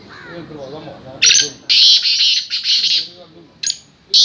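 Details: Black francolin chakri call, made of long, loud, rasping buzzy bursts in uneven runs, with short sharp notes near the end over a faint low background.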